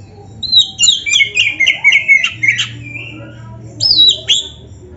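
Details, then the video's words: Oriental magpie-robin (kacer), a caged bird in vigorous singing form, played to stir lazy birds into song: varied whistled phrases, slurred rising and falling notes with harsh squawky elements, repeated rapidly, a pause mid-clip, faint low hum behind. "TERAPI KACER GACOR DONGKRAK BIRAHI DAN EMOSI BUAT KACER MALAS BUNYI"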